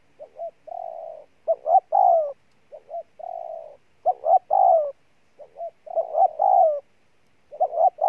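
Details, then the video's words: Persistent cooing of a spotted dove kept for 'gù' calling: soft paired notes, a steady hum-like coo and a stronger falling note, phrases cycling roughly every two seconds in quiet surroundings. "Con Bổi Gù Trâu Bò nhất năm"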